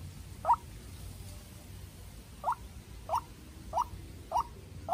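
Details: White-breasted waterhen, young decoy bird facing a wild rival; one harsh note, a pause of two seconds, then a quick series of clipped calls less than a second apart, low hum behind.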